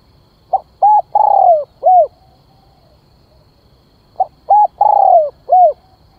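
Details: Spotted dove calling as a decoy to attract wild doves. Two complete phrases about three seconds apart, each a soft lead-in note, two short coos, a long descending coo, and a final short coo.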